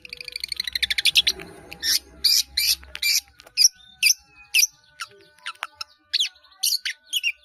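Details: Caged-bird training song of a long-tailed shrike (cendet): opens with a fast accelerating trill of harsh notes, then spaced loud rasping bursts and thin whistles with irregular gaps, plus a faint steady tone in the background.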